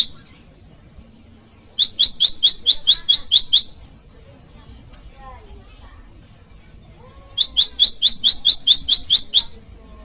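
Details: Bar-winged prinia (prenjak lumut) calling a rival, as tutor audio for cage birds and lure for wild ones: two evenly spaced bursts of about eight shrill, rapid chirps each, separated by a quiet gap.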